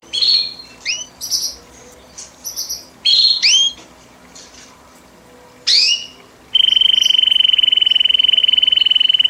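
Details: Belgian canary, white, singing a classic 'campainha' (bell) style song, used for training after the moult: bright upward-sweeping whistled notes and short bursts, then a long steady high trill.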